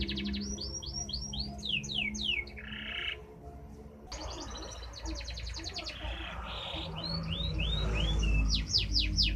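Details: Canary singing a fast, varied song: runs of repeated downslurred whistles, dense buzzy trills and rising notes, broken by a short pause before another busy burst, over a steady low hum.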